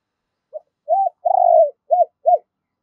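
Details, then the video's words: Decoy spotted dove calling in the giọng đôi, or double-voice, style. A brief soft note and a hollow coo lead into a long, rolling, slightly falling coo, which ends in two short, arched notes. "Chim Cu Mồi. tiếng chim cu gáy gọi hai hậu hay nhiều anh em còn gọi là giọng đôi"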